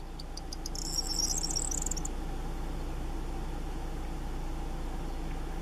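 Corn Bunting gives one short song: a few dry ticks speeding into a high, jangling rattle like shaken keys, over a steady low rumble of wind or distant traffic.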